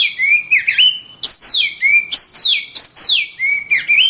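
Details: Oriental magpie-robin singing repetitively, loud high whistles that drop steeply into lower level notes, phrase types recurring roughly every half second in a rhythmic, lively sequence.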